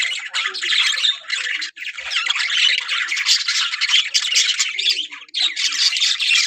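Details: Australian budgerigar parrots kept as a breeding colony, their pairs readying to breed, fill the air with unbroken raspy warbling and squawking from many birds at once, dipping briefly twice.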